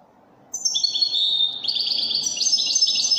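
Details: European goldfinch in Moroccan wydani song, clear whistled notes followed by quick chattering trills, over a low background murmur.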